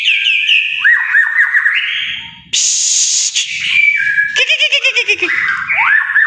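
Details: Singing white-rumped shama with a varied medley of phrases: wavering whistles, a harsh buzzy stretch, a clear level whistle, then rapid rhythmic warbling pulses and a closing rising note.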